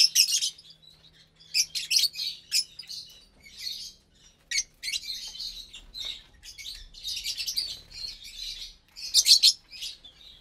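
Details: Around 25 caged lovebirds of parblue, euwing, opaline, lutino and albino mutations at meal time in January 2023, including breeding pairs and chicks: bursts of shrill chirps and chatter, scattered and overlapping, separated by short quiet gaps.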